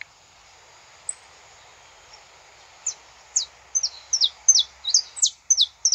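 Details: Saffron finch recorded live in natural surroundings: after a near-silent start, a lively phrase of high, sharp, down-slurred chips builds over the last three seconds, coming faster toward the end.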